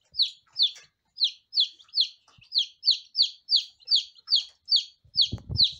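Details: Continuous high, falling peeps from lavender Ameraucana chicks at one day old, roughly two to three per second, with a rustling low scrape near the end.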